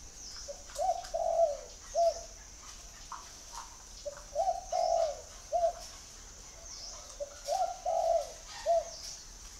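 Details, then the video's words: Spotted dove repeating its cooing phrase three times, roughly every three and a half seconds. Each phrase is a short lead note, a rolling double coo and a clipped final note, over a steady high whine. "chim cu gáy gọi"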